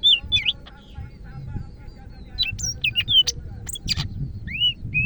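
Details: Greater green leafbird from Medan in active song: a mix of clear looping whistles, sharp high clicks and chirps, and slurred notes, loud and irregular over a low rumble.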